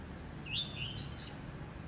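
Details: Blue-black grassquit song: a thin rising slurred note leads into two quick, bright buzzy bursts about a quarter second apart. Steady faint background hiss.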